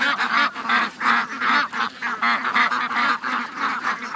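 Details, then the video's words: Ducks and geese, more than 700 strong, on a morning rush to the lake on August 6th, 2015; loud nasal honks come in quick, regular pulses, about three each second. "700+ Ducks & Geese Morning Rush"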